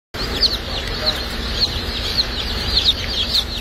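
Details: Dark Brahma baby chicks at a hatchery on hatch and shipping day: high, thin downward-slurred peeps from several chicks, sounding every half second or so over a steady low hum.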